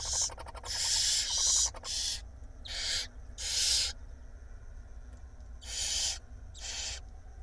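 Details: Barn owl nestlings, five chicks fed by the female at night in a nest box in Israel, April 2021: harsh broadband hissing screeches about half a second long, repeated irregularly, with rapid clicking chatter early on.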